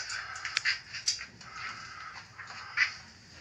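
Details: Blue macaws that have just had a shower give harsh, raspy squawks and softer chattering, with loud bursts about every second, in a small room.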